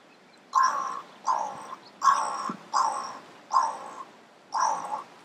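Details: Six rough, grating caws from a crow, evenly spaced about three-quarters of a second apart, each short and raspy, in a quiet setting.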